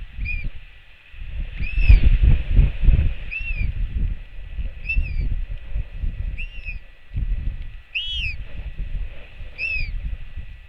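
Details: Royal albatross chick skycalling to welcome its mother home, New Zealand nest camera, 24.06.08: a long run of eight short arched cries about every 1.3 seconds, one louder near the end, with continuous wind.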